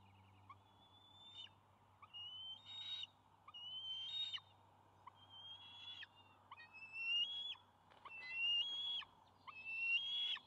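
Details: Juvenile bald eagles near a nest in late May 2020 as the father comes in with a fish. Thin, whistled calls rise and then break into chittering, repeated about every second and a half. A low steady hum sits underneath.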